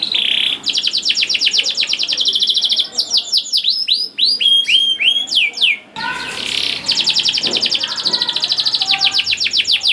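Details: Canary singing as a lure for young canaries: rapid rattling trills, a burst of swooping whistled notes, then renewed fast trills with a briefly noisier background partway through.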